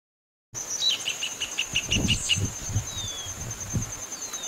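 Dark-throated Seedeater giving a quick run of about eight short, bright notes, followed by thin descending whistles, over a steady high insect drone and low rumbling.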